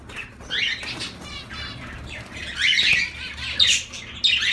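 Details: Zebra finches calling with buzzy, nasal notes and a ladder-like harmonic buzz, bursts spaced irregularly, a little wing or cage rustle underneath.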